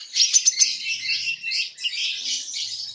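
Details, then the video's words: Common iora singing while puffing up: a dense, high chattering song of rapid tweets and short trills, with a few sharp notes near the start and a continuous busy warble after. "Burung konin kicau sambil gembung"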